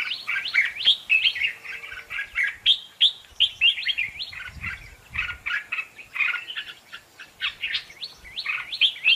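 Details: Contest singing of a red-whiskered bulbul, used for training birds and as a trapping lure: rapid, jumpy whistled phrases with strongly hooked notes, delivered almost without pause, and a faint low rumble partway through.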